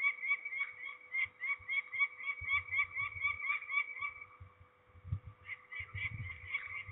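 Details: Peregrine falcons being ringed at Trzebież, Poland, on 13 May 2019: clipped, grating notes repeated about four per second, breaking off briefly past four seconds before resuming, with low handling thuds.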